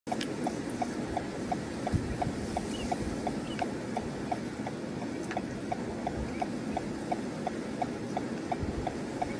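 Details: A juvenile Black-winged Stilt at Etang de Vaccarès, Camargue, France, on 21 August 2022, gives short, fairly low piping notes about three per second in a steady run, over constant wind rumble.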